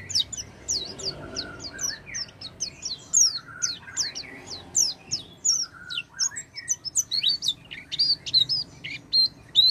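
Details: Lure song of the Oriental white-eye, meant to get a silent white-eye singing: a long, dense run of high chirps and slurred whistles, some rising and some falling, with a few lower notes mixed in and steady faint background noise.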